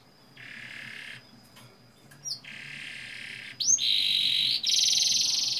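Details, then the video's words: Canary lure song with long rolls for young canaries: sustained flat buzzy rolls at mid and high pitch, broken by a few sharp upward-and-down whistled slurs, ending in a loud high buzzing roll. "Pancingan kenari paud ngeroll panjang, agar cepat ngeriwik dan gacor"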